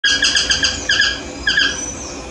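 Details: Yellow-throated toucan (Ramphastos ambiguus) singing in the morning: a fast series of loud, yelping, downslurred notes, rich in harmonics, delivered in quick clusters and then fading.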